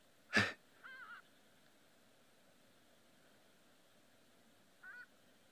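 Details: On a sunrise safari on 3 March 2024, a hadeda ibis gives one harsh, explosive shriek, unusual for it and possibly from a fright, then a short wavering nasal call. A second brief nasal call follows four seconds later over a quiet hiss.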